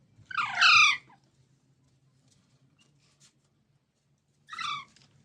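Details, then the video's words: Baby green parrots, Indian mitthu, producing two raspy descending squawks, a loud one followed after nearly four seconds of quiet by a softer one. "Baby Parrots Sounds"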